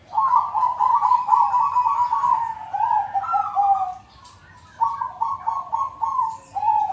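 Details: Lure recording for zebra doves that are silent or not yet singing, made with a group of doves already in voice. Busy, trilled coos overlap continuously, with a short lull before rhythmic cooing resumes.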